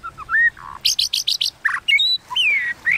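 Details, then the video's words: White-rumped shama in competitive kéo thuốc lào singing: rising whistled notes and a low burry note, a quick run of five high buzzy notes, a harsh chirp, then clear sliding whistles. "Tiếng Kích Chòe Lửa Hót Đấu Kéo Thuốc Lào"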